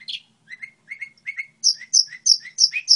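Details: Goldfinch hybrid song model: spaced paired chirps at first, then a quicker run of high sharp notes with lower twangy follow-ups, about three per second.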